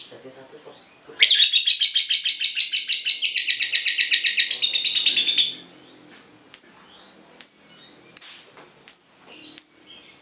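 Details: Cinderella lovebird used as a ngekek trigger for song tutoring: after a quiet start, a sudden loud burst of very fast harsh chirps runs about four seconds and fades, followed by five single sharp high calls spaced roughly a second apart.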